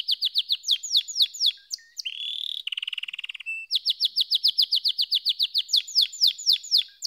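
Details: Canary singing in varied tours: repeated downslurred chirps, a buzzy rolling trill at lower pitch, a rapid pulsed roll, then steady repeated descending notes about four per second.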